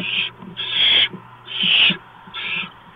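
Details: Barn owl nest, early morning of 6 March 2015 with a mouse being delivered; four coarse, noisy screeching hisses of varying length, with faint low rustling between them.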